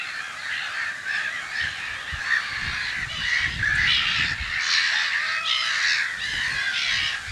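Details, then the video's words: Black-headed gulls at their nests in spring, in Brenne, Berry, France, in mid-March 2012, seen from an observatory: a dense colony chorus of harsh, overlapping squawking calls with no pause, plus low thumping noises. "MOUETTES Rieuses/Printemps/Nids"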